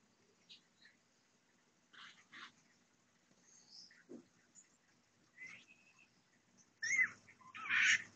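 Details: Parakeets checking out their nest as they get ready to lay. Soft, scattered chirps and brief squeaky notes with quiet pauses build into a louder closing burst of harsh chattering calls.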